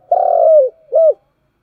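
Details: Spotted dove calling in the morning: a long, loud, slightly descending coo followed after a short gap by a shorter arched coo, low and mellow, in an otherwise quiet setting.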